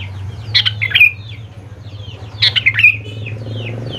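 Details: Sooty-headed bulbul phrase meant as a lure for young birds to respond: two rich, bubbling whistled phrases about two seconds apart, over a steady low hum and soft background chirping.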